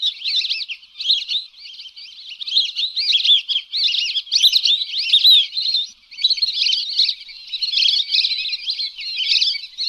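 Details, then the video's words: Lesser whistling ducks (Dendrocygna javanica), used as a lure sound, give a dense, steady chorus of high, thin whistles, many birds calling over one another in quick twittering bursts. "SUARA PIKAT BURUNG BELIBIS ALIS KUNING"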